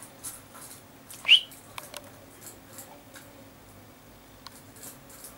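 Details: A Common Chaffinch recorded 19 August 2013 gives a single short, high, rising whistled note, with only faint clicks and quiet background otherwise.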